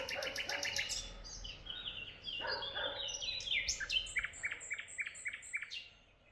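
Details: Lively bird chorus in Tuzla: a fast run of rapid high chips opens, followed by overlapping chirps and then an even, repeated ticking note that fades at the end.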